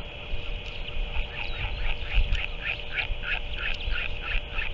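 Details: Northern royal albatross at the nest, 7 March 2024, as an adult returns and feeds the chick octopus: a series of short, clipped squeaky notes repeated roughly every third of a second over low wind rumble and a constant hum.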